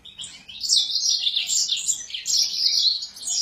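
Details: Excited Sura singing a continuous, high, rippling warble of rapid chirps with little pause throughout.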